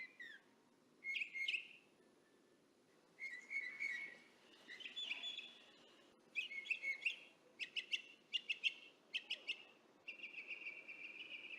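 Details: Varied song of distant Northern mockingbirds captured by parabolic microphone, mixing whistled slurs, harsh notes and rapid clicky chirps in changing phrases, finishing with a steady buzzy trill, over low ambient rumble.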